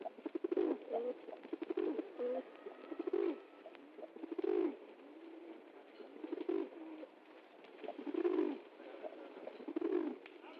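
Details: Several pigeons cooing together, low throaty coos around mid pitch repeated in uneven bursts, overlapping one another, with clicks and faint background noise.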